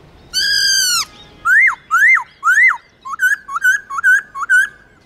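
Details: A kept laughingthrush in full song, played to pet birds to boost their singing drive: one long steady whistle, then three sharp rising-falling whistles and a quick run of five short wavering notes.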